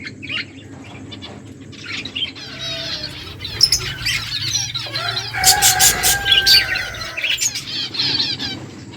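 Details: Several feeding finches give thin, sweeping chirps and twitters, quiet at first, then a louder burst of dense chattering in the second half, with some rustling noise.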